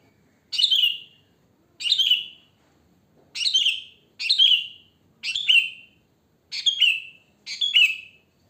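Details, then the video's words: Natural wild song of a sooty-headed bulbul, used for luring; seven clear, evenly spaced phrases, each a sharp upper note falling into a short warbled tail, over near silence. "Suara Kutilang Asli Alam Tanpa Isian Gacor, Ampuh untuk Pancingan, Bikin Kutilang Ribut Gacor"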